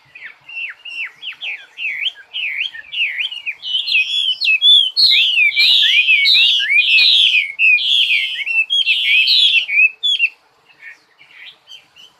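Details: Bird song opening with a quick string of repeated downslurred whistles, then rising into loud, rich, rapid warbled phrases for several seconds before fading into scattered softer notes.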